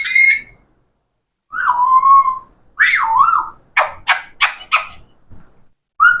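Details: Talking parrot giving a long steady whistle, then a swooping rise-and-fall whistle, followed by four rapid harsh speech-like syllables and a final short whistled note, indoors.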